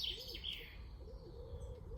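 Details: A stock dove by a churchyard and woodland edge at Roos gives low, hollow coos that rise and fall in quick succession, with higher bird chirps, a wood pigeon and faint woodland noise in the background during a time of heavy birdsong.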